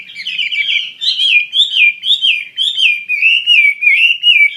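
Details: Loud, sustained song from an actively singing wambi mandarin bird, a flowing chain of wavy, looping whistled phrases at steady pitch, each swooping up and down with sharp high overtones, without pause.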